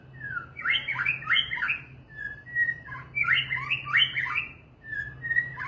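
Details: Lively song of a white-rumped shama (murai batu): a falling whistle introduces a run of sweeping, chattering warbles, repeated after a level whistle, ending with another short whistled note; steady low hum behind.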